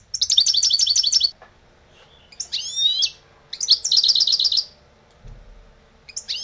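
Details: Lebrijano-style song of an old European goldfinch: fast high twittering trills alternating with sweeping slurred phrases, in several bursts with short silences between, over a quiet low background hum.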